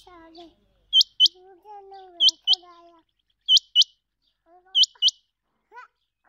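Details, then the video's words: A common quail gives sharp, high, clipped notes in quick pairs, repeated about every second and a quarter, over low murmuring voices. "Quail sound"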